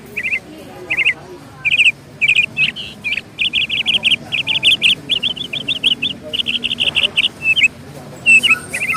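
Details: Bird singing: high chirped notes, first in scattered pairs, then in fast steady runs of quick repeated notes, ending with a few louder rising chirps, over a soft low background murmur.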